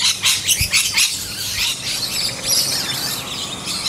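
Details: Several rainbow lorikeets in a back yard while feeding on bottlebrush blossoms, uttering rapid, high, scratchy shrieks that run together into a continuous chatter. A low thump sounds early on.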